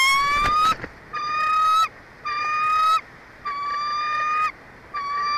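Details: A bald eagle at a nest 145 feet up a Jeffrey pine in Big Bear Valley, San Bernardino Mountains, California, home of a resident pair, as the nesting season begins, gives long, even, whining notes with a slight rise, about once a second, after wind.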